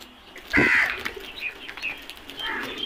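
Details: Black crow from a flock giving one loud hoarse caw, followed by fainter scattered calls from other birds against a soft background hiss.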